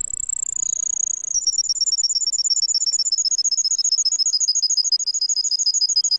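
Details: Russian song canary giving a high, sliding whistle that turns into a fast, even trill of rapidly repeated bright notes, sustained for several seconds over a quiet background.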